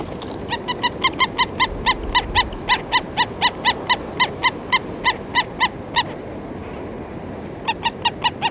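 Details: Black-necked stilts from a feeding flock, recorded close: a long regular volley of loud nasal yapping notes, about three per second for six seconds, a brief pause, then more calls, over low rumble.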